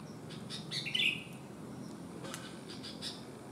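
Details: Sooty-headed bulbul singing despite one abnormal leg. One quick, bright, slurred whistle early on, then scattered faint clicks and taps over a constant low hiss.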